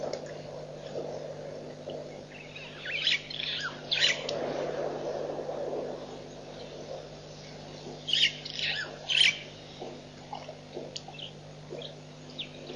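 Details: White-backed vulture at Nkorho Pan, 24 September 2007: harsh squealing bursts near three to four seconds and again near eight to nine seconds, over a steady low hum with faint scattered chirps from other birds.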